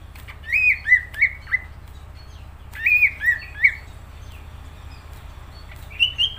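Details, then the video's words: Greater green leafbird singing vigorously: bursts of three or four slurred whistled notes with a few sharp clicks, the bursts separated by pauses of about a second, over a steady low hum. "Cucak ijo gacor"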